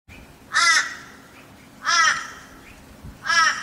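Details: Laughing kookaburra in Australia giving its laugh: three loud, harsh, rasping notes with a wavering, throaty quality. Each lasts about a third of a second, spaced roughly 1.4 seconds apart, against a quiet background.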